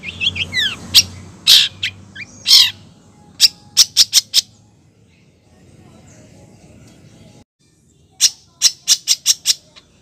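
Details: Long-tailed shrike female calling the male: curving whistles and harsh rasps, then rapid series of sharp high ticks, a quieter spell of faint background noise, and another quick tick series.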